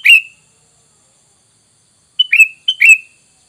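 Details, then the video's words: Sooty-headed bulbul calling, a sound used to lure untrained wild bulbuls into replying; three quick whistled phrases, each a clipped high note sliding into a fuller slurred whistle, the last two close together after a pause. "Dengan Surara ini kutilang bahan Langsung nyaut"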